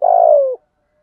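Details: Decoy cooing of spotted doves, meant to stir other males into singing: a single long, buzzy coo that slowly falls in pitch and stops abruptly, then silence.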